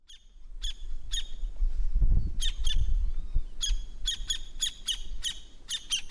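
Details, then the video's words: Campo flicker, a large ground-dwelling South American woodpecker of open country, giving loud, harsh, ringing notes with stacked overtones, repeated in uneven bursts and doublets over low rumbling background noise. "Pica-pau-do-Campo - Canto"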